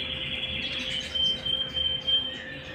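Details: Canary at home holding a sustained high whistled note mixed with soft trills, over a low steady hum.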